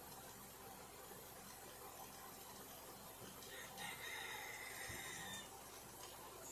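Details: Backyard rooster crows once, distantly, on a warm December day in the 60s°F: a drawn-out, strained call of about two seconds, half-buried in steady background hiss and faint household noise; ducks and chickens are kept nearby.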